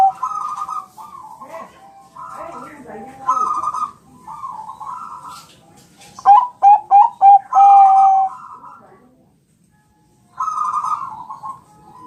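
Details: Zebra dove, Bangkok type, champion singer, training song to draw replies: series of vibrating trilled coos, a quick string of short pure notes mid-way, a brief pause, then more trills.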